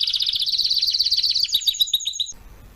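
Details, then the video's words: Canary song for training young birds: a dense rapid trill of repeated high notes that slows into separate chirps over about two seconds before stopping abruptly. "meilleur chant de canari pour l'écolage"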